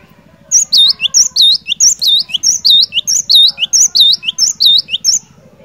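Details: Cinereous tit in full song, used to stir a silent bird into singing: a rapid run of high, ringing whistled phrases, each a sharp note followed by a swooping downward slur, repeated about twice a second over a faint low hum.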